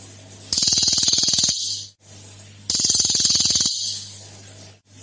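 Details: Cililin, a lure recording said to hold three rare song variations to prompt other birds: two loud one-second bursts of rapid, harsh, high-pitched chattering notes with a low steady hum between them.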